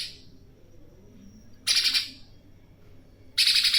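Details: Outdoor tame spiderhunter with a fierce voice, used as tutor song for songbirds, gives short rasping bursts of fast chattering pulses, about two seconds apart, with quiet pauses between.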